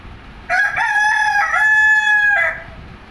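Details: Leghorn rooster crowing: one loud, drawn-out cock-a-doodle-doo lasting about two seconds, rich and steady in pitch with a slight dip partway through, ending abruptly, over quiet background.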